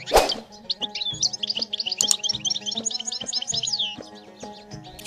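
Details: European goldfinch twittering song recorded in nature: a fast, continuous stream of high, tinkling, jangling notes, preceded by a sharp knock at the start. A faint steady tonal hum runs underneath.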